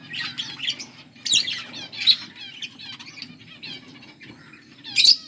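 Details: A pair of pet budgerigars, called Australian parrots, chirp in a busy stream of short warbled notes and harsh squawks, with bursts near the start and end over a low steady background hum.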